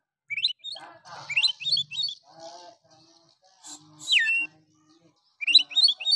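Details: An oriental magpie-robin sings to rouse other males into singing, in a harsh, rough style. Clusters of high, quick whistled notes alternate with a long downward slur and soft scratchy fragments, separated by silent gaps.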